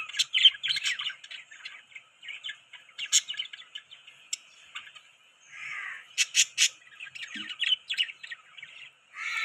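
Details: Budgies chatter in quick, scratchy chirps and clicks, some notes sharp and high, others a lower buzzy warble, several birds calling over one another in uneven bursts.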